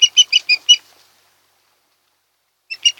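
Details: Osprey at a nest on Kent Island, Maryland, late August: a quick burst of five shrill whistled chirps, then a second of silence, then another short burst begins.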